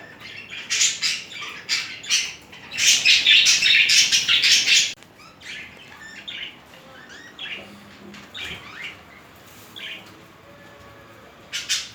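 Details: Two budgerigars mating and displaying romantically. A dense, loud burst of rapid scratchy chirps and clicks lasts about five seconds, followed by softer, scattered chatter and a final sharp chirp.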